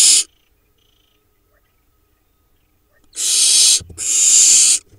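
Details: Barn owl babies in a Hula Valley nest in Israel, filmed 7 July 2021 while preening: a short hiss, then about three seconds of quiet, then two breathy hisses in quick succession.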